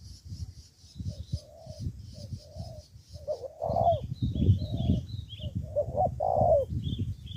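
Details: Spotted dove kept as a decoy for ground fighting in Ca Mau, Vietnam, cooing repeatedly in soft then louder phrases over rumbling background noise, with high twittering from other birds.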